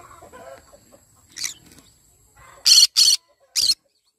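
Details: Yellow-sided conure singing in the morning: quiet mumbled chatter and a brief squeak, then three loud, rasping screeches in fast succession.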